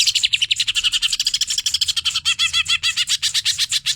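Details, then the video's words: Greater green leafbird (cucak ijo) singing in hyper style for a training master track, with a rapid stream of varied slurred and chattering notes, about four per second, over a faint low background hum. "CUCAK IJO HYPER GA ADA OBAT GILA"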